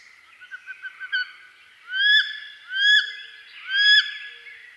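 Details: Wood duck of eastern North America giving a few soft, quick peeping notes, then three loud rising squealing whistles about one second apart, each sweeping upward and ending abruptly.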